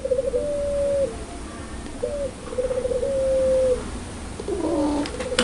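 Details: Spotted dove, pelung type, famed for loud, clear cooing: a steady sequence of long, level, slightly quavering coos with short hooked notes between, set against steady background hiss and a few clicks near the end.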